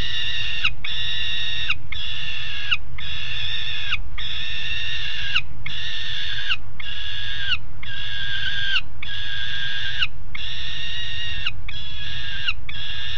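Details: Two juvenile peregrine falcons on the nest grating at Alphen aan de Rijn, Netherlands, 17 June 2016 at 13:30: harsh, drawn-out, richly harmonic calls repeated about once per second, steady and insistent, over a low rumbling background.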